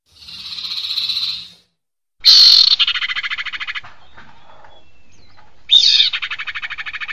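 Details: Sirpu bird call played as a bird-catching lure: a hissy buzzy note, then two loud bursts that each begin sharply and break into fast, fading rattling trills, separated by a quieter stretch.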